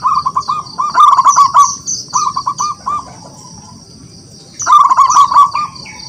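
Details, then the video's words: Local wild zebra dove in full song, a call meant to draw rivals into singing: rolling trilled coos in quick series, a pause, then a fresh phrase, with thin high chirps from other birds behind. "Perkutut lokal alam gacor, suara memanggil lawan untuk bunyi"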